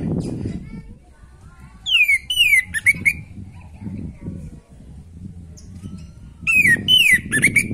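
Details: Orange-headed thrush in full natural song, for stimulating a bird lacking breeding drive: two short bursts of strong falling whistles and rapid chattering flourishes about four seconds apart, with low rumbling background noise between them.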